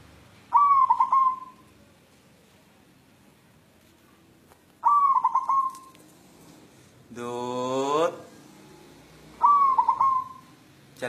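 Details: Zebra dove of white local form, searching for a mate, repeats its stuttering whistled coo three times about every four to five seconds; between calls a loud rich harmonic sound from another source rises briefly.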